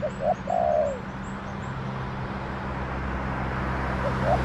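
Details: Wild spotted dove answering a decoy bird in a garden; one quick phrase at the start, two short coos and a drawn-out falling purr, then only a low steady hum with two faint coos near the end.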